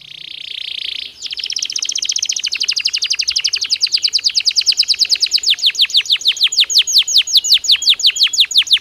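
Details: Belgian canary in natural song: a soft buzzy tone, then a long, even trill of quick downslurred notes that grows louder and slightly slower over nearly nine seconds.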